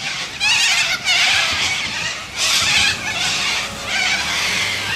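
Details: Several white cockatoos in Australia give loud, harsh, raspy screeches in long bursts, each lasting about a second, with brief pauses between them and a steady low rumble underneath.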